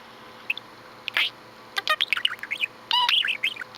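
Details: Pet budgie chirping: scattered short chirps, then a quick run of bright, curved warbling notes and rapid clicky bursts.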